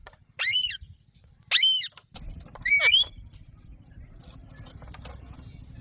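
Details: An Alexandrine parakeet gives three loud, harsh screeches about a second apart, each rising then falling, over a low background rumble.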